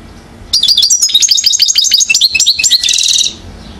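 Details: One-year-old European goldfinch, Mouzaia, Algeria, 2012, delivers a three-second burst of fast, tinkling notes closing with a buzzy, rattling trill.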